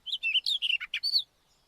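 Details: White-tailed wheatear giving a quick twittering run of about a dozen short chirpy notes, some slurred downward, ending in a slightly longer whistled note, all within little more than a second against a quiet background.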